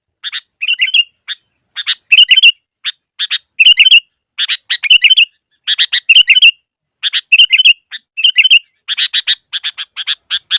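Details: Trapping-lure song of a sooty-headed bulbul, lively bursts of scratchy chirps and bright, bubbling whistled phrases delivered roughly every second, ending in a fast run of chirps.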